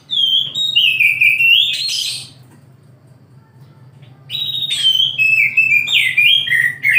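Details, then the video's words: Oriental magpie-robin in the morning, two bursts of loud sliding whistles mixed with harsh buzzy notes, separated by a two-second silence, over a steady low hum. "KICAU KACER DI PAGI HARI"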